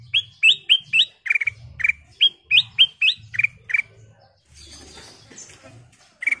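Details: Sooty-headed bulbul chatters through a fast string of rising whistled notes, about a dozen in a row, then falls quiet amid soft hiss before one last note.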